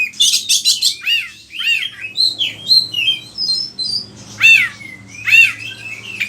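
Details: Oriental magpie-robin (kacer) in full song as lure and tutor: rapid buzzy burst series, then clear sliding whistles and two loud arched notes about a second apart.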